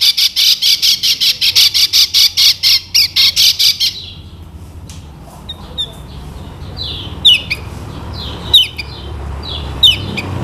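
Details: Lombok lemon-bellied white-eye song, played so other birds learn it: about four seconds of rapid grating, buzzy bursts, a pause, then scattered sharp, falling chirps.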